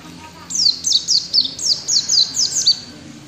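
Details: Ngalas-style song of a mountain white-eye, a fast series of high whistles, each sliding steeply downward, repeated about four times a second over a faint low hum.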